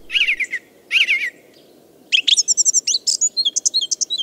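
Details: Song Thrush singing in a village in the evening or at night, said to have learned from a nightingale. It sings a bright fluty phrase twice with a short pause, then a quick run of varied whistled and sharp notes over a low hum.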